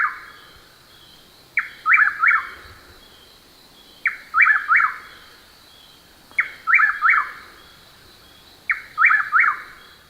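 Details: A nocturnal Chuck-will's-widow in Texas calls in darkness, repeating its whistled three-part phrase, a soft chuck then two emphatic notes, about every two and a half seconds, over a steady insect hum.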